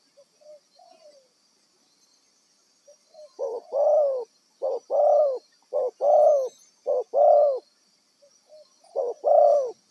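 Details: Wild-caught spotted dove serving as a trapping lure: soft quiet notes open, then a steady run of paired coos, a quick clipped note leading into a fuller drawn-out one, repeating roughly every second.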